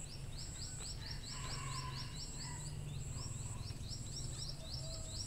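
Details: Lure recording of munias: quick, thin, upswept chirps repeated in a busy stream, with a persistent low drone and a steady high-pitched tone behind them.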